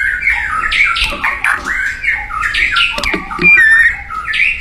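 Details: Squawky, rapidly changing phrases of mid-pitched whistles and rasps from a wild white-rumped shama in full, energetic song.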